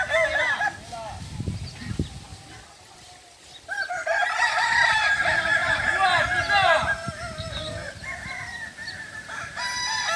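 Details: Native Solok chickens of the Kokok Balenggek breed from West Sumatra, gathered for crowing practice. After a quiet, murmuring start, a loud multi-note crow breaks in and wavers on for about three seconds, with fainter crowing trailing after.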